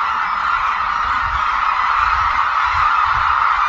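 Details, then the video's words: Hooded cranes gathering at Suncheon Bay Wetland, a noted habitat where migratory birds flock in, wheeling in aerial displays; a dense, unbroken chorus of overlapping honking calls at steady loudness, no single bird standing out. "흑두루미 울음소리"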